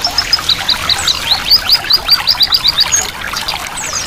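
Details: White-eye song called ngiriwik, mixed with flowing water to get caged birds to start singing: rapid high chirping notes repeated about two or three times a second, with a steady watery hiss underneath.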